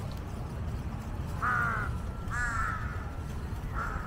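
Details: Three harsh, drawn-out caws about a second apart from jungle crows in a flock scavenging near a monitor lizard eating a dead giant snakehead fish, over a quiet low background hum.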